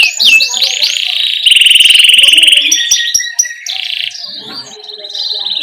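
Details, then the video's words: Rolling 'ngerol' canary song used to tutor young birds. A few rapid swept notes open a long, loud, even rattling trill, followed by sharp chips and a softer wavering warble. "Masteran Suara Burung Kenari GACOR Ngerol Ini Cocok Untuk PANCINGAN Kenari PAUD Ngeriwik Lekas GACOR"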